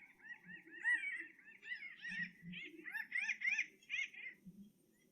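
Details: Pinyon Jays give typical calls: a fast, overlapping run of nasal, down-slurred mewing calls from several birds at once, over a faint low hum.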